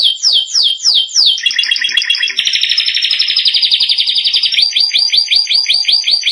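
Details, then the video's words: Training song for young canaries: a canary opens with quick descending whistled slurs, moves into a dense rolling buzzy trill, then finishes with crisp rising notes repeated several times a second. "canary singing for training"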